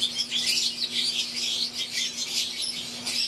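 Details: Many wild-type green Fischer's lovebirds chatter together in an aviary alongside Euwing birds, a loud unbroken wall of high squeaky chirps and whistled notes, with a low electrical hum throughout.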